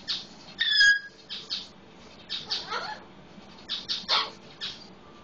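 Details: Pet Solomon Islands Eclectus parrot sounding like a red-lored amazon: a loud squawk with a thin whistled overtone, then groups of rapid raspy chatter notes, recorded indoors.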